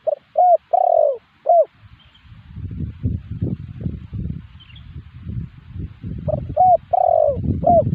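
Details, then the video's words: Spotted dove call as a lure answered by wild doves: a coo phrase with rising and long falling notes, then several seconds of low rumbling noise, then the phrase again. "suara pancingan burung tekukur burung liar pasti nyaut"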